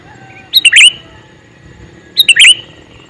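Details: Male sooty-headed bulbul calls twice, each a fast burst of three to four liquid, bubbling notes rising into a rolled ending, about one and a half seconds apart.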